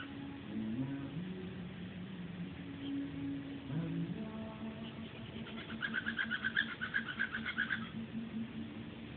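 A cockatiel mimics a toothbrush with low, droning buzzes, then breaks into rapid, scratchy chatter.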